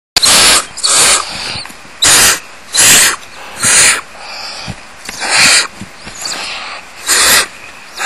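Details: Barn owl owlets crowded in a tree cavity as the mother pushes in to feed the smallest ones; harsh, broadband hissing screeches about half a second each, repeated irregularly roughly every second.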